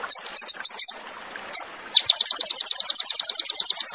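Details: Crested jay, known locally as sogon, in fierce 'tembakan' song for cage-bird training: a few separate high chips, a pause, then a fast even rattle of high notes.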